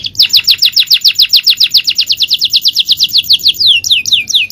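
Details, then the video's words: Male canary in long-duration champion song, pouring out a fast, even series of descending whistled notes in a rolling trill, slowing at the end into a few broader downward sweeps. "Aksi Kenari||Cengkok Jawara||Full Power Canary Action||Cengkok Champion"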